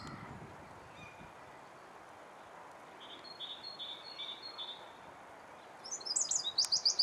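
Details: A Eurasian wren (Troglodytes troglodytes) sings in Alkmaar, Holland: a faint run of mid-high notes, then a loud, very high, rapid burst of ringing trilled notes at the end, over a steady background hiss.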